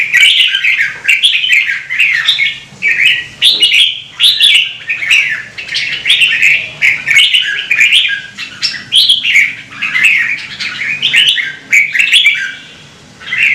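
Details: Red-whiskered bulbul singing continuously, a recording for stimulating singing; long unbroken stream of warbling, slurred whistles and chirps with sharp clicks, faint hum in the background.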